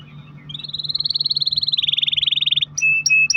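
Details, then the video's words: Canary in a long roll, played so other canaries begin singing: a rapid even trill slowly dropping in pitch for about two seconds, followed by short sharp whistled notes. "kenari gacor ROL PANJANG buat pancingan kenari agar bunyi"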